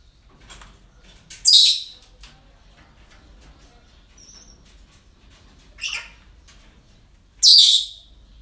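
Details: Three rough, noisy squawks spaced a few seconds apart from parrots kept at a breeding centre, with a brief faint whistle and light clicks in between.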